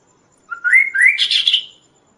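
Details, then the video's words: Vigorous kaso-kaso song used to train birds and lure others: a rising whistled sweep running into a dense, buzzy, chattering warble lasting about a second. "suara Burung Kaso-Kaso gacor|| masteran dan raja pikat burung lain"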